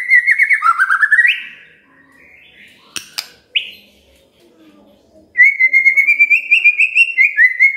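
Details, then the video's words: Shama song used to prompt a silent bird: rapid, trilled whistling at the start, quieter notes and a few clicks in the middle, then a long, fast, repeated whistled trill. "Pancingan Murai DIAM Agar Rajin Bunyi"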